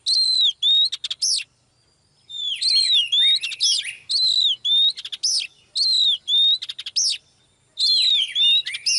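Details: Female Oriental magpie-robin prompting a male to sing: bursts of bright whistled notes and rapid chattering trills, about two per second, in phrases separated by a two-second silence and shorter gaps.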